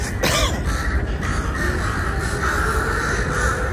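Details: Wild crow in a forest area around 6:30 in the evening, trying to attack the person recording: one hoarse, arched call near the start, set against a steady droning background hum.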